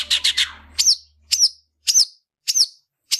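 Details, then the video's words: Long-tailed shrike in fighting song used to tutor other shrikes: a few quick scratchy notes, then high, piercing down-slurred whistles repeated about every half second; low hum briefly at the start. "Tarung ngalas Gacoran cendet cocok untuk masteran burung cendet"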